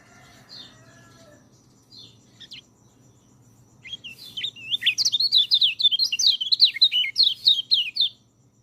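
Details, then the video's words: White-eye song for training lazy singers: scattered faint high notes, then a long, energetic run of rapid, wavering high whistles over about four seconds, bright and continuous, against a faint hum. "MASTERAN BURUNG PELECI, cocok untuk burung peleci malas bunyi"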